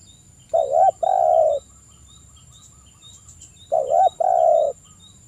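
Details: Spotted dove song played as a lure to make other doves respond; two phrases, each a quick paired coo then a longer level coo, about three seconds apart, over a constant thin insect drone.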